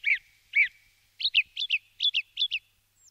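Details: Song thrush song with two separate notes followed by several quick paired notes, each phrase repeated, bright and clear with no background sound.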